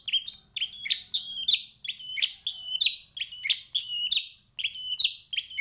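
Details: Repetitive 'isian' phrase of a white-rumped shama, used as a master for training other birds. Sharp, piercing, downward-slurred whistled notes repeat regularly about twice a second over faint low background noise.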